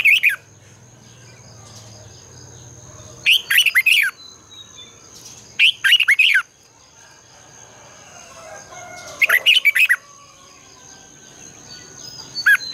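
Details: Red-whiskered bulbul singing at morning to trigger song in others: several clustered bursts of fast, bubbly warbled notes spaced a few seconds apart, a low hum early on, and a constant high electronic whine.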